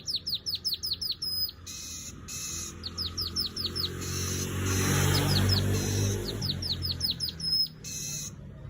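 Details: Weaver chattering in quick runs of high, downward-sweeping chips with short buzzy pauses between them, partly masked midway by a broad rushing noise.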